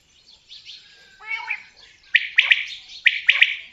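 Common quail giving sharp, liquid three-note phrases, twice in quick succession, over softer chirping from other birds.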